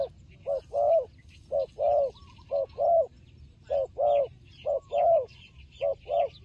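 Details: Turtle dove fighting, calling in regular paired coos, a brief low note followed by a fuller rough one, repeated about every second; faint chirps of other birds.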